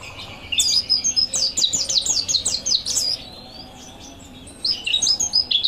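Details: Mountain white-eye master song for training: a burst of quick, high-pitched chirps in a rapid string, a brief quiet gap, then another fast twittering phrase at the end.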